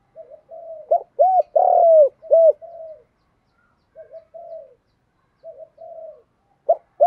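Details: Spotted dove giving a challenge-style 'Thúc Đấu' call meant to stir a newly caught dove into calling: soft low coos, then a burst of loud, swooping coos around the middle, followed by quieter trailing coos and a final short note.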